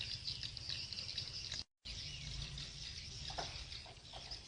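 A dense, continuous chatter of high, buzzy swiftlet chirps, many birds overlapping, over a low hum, broken by a brief silent gap.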